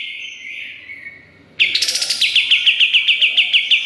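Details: Pied triller in full song, used as master recording for cage songbirds: a soft murmur, then a rapid ringing sequence of about a dozen crisp chirps.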